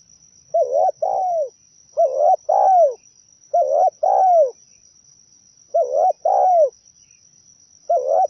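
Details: Zebra dove lure song for bird trapping: a steady series of paired trilled coos, a short wavering note then a falling purr, repeated roughly every one and a half seconds, with a faint unbroken high electronic tone.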